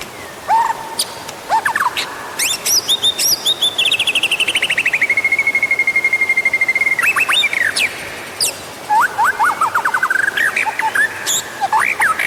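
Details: White-rumped shama singing as a prompt for other birds: rich whistled notes, then a long fast trill sliding slowly downward, followed by a rising series of repeated notes, against constant hiss.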